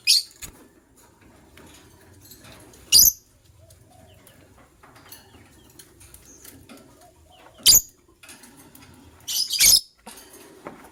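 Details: Morning calls from a matched pair of white lovebirds: isolated sharp, high-pitched chirps spaced several seconds apart, with a closing pair of scratchy chirps and faint low background hum.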